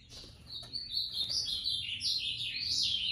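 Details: Ultramarine grosbeak giving its moicano-style song, a continuous warbled stream of high, slurred whistles that rise and dip, over a soft hiss of background noise.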